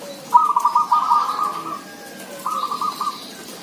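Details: Village zebra dove singing: a quick rattling string of short, even coo notes at a mid pitch lasting over a second, a pause, then a shorter burst, with a fainter low coo underneath.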